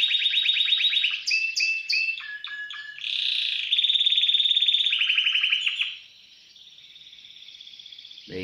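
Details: Timbrado canary held in a cage at an aviary, singing clear metallic trills and rolls at about 2–4k range, shifting between rapid repeated notes and a softer sustained roll near the end; a man urges the bird on in Spanish.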